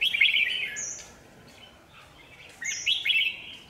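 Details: Red-whiskered bulbul used as a lure bird at a trap by a power line, recorded 27 January 2019; bright warbled phrases around mid-high pitch, two bursts separated by a quiet gap, with short higher whistled notes.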